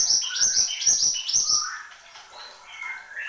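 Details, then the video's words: Horsfield's babbler singing vigorously: a fast run of sharp, high, clipped notes for about 1.6 seconds over lower slurred whistles, then softer scattered whistled phrases. "SUARA BURUNG MANTENAN GUNUNG GACOR"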